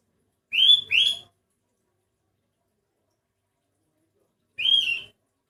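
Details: Sooty-headed bulbul with a strange-sounding voice, not like ordinary ones: two quick rising whistles in succession, then after a pause of about three seconds a single similar whistle.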